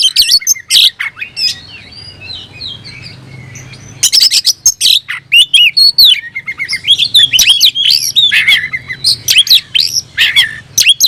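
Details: Oriental magpie-robin, singing while seeking an opponent, begins with soft scattered twitters, then breaks into loud rapid whistles, chips and harsh notes, over a low steady hum.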